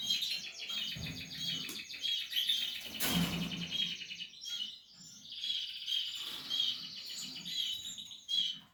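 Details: Portuguese harlequin canaries with nesting chicks in a breeding setup: a continuous mass of high chirps and rattling trills, broken by a sharp clatter midway, then thin whistled notes carrying on.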